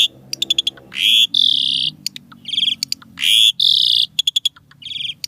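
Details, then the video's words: Asian pied starling (Jalak Suren) singing in the isian tembakan fill-in style. Long loud harsh rasping notes alternate with quick runs of sharp clicks, with a faint low hum beneath. "Jalak Suren Isian Tembakan Mewah Gacor Full Isian Suara Unik Kreasi Terbaru"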